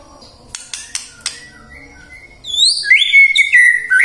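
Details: White-rumped shama song used as a prompt to get birds singing in the morning, midday and afternoon: a few dry clicks and faint thin notes first, then loud, clear whistled phrases with quick rising and falling sweeps.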